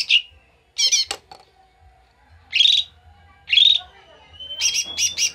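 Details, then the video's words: Excited ngamuk singing of a koto or cucak mini bulbul for luring birds: scattered loud harsh phrases about a second apart, one trailing into a long thin whistle, over a quiet low hum. "PANCINGAN BURUNG KOTO/CUCAK MINI"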